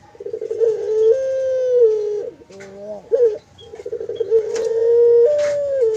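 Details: Barbary dove kept on a bird farm cooing in the 'mendengkur' manner: a drawn-out steady hum, a short wavering break, then another long, slightly rising hum.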